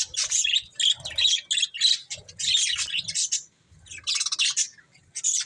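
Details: Budgies giving scratchy warbled chirps with short whistled squeaks, in bursts separated by a brief pause, then louder chatter again.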